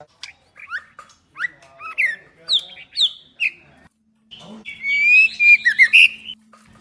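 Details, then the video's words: Female white-rumped shama used to stir males: spaced, sharp upswept whistles of varying pitch, then a longer, fluid warbled phrase of sliding notes, over a faint steady hum. "เสียงนกกางเขนดง หรือบินหลาดง ใหม่ล่าสุด 2022 คมชัด 100% นกบินหลาดง ตัวเมีย | Choè Lửa Mái Kích Trống"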